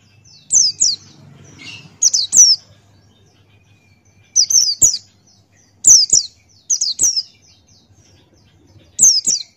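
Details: Male Buxtoni white-eye singing in ngalas style with open beak: high, thin, downslurred chirps in quick pairs and triplets, bursts separated by short pauses over a quiet background.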